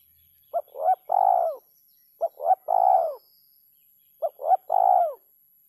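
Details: Spotted dove repeating its three-note kuk 3 phrase three times, roughly every two seconds: a brief soft note, a rising coo, then a long falling hollow coo, clean with no background.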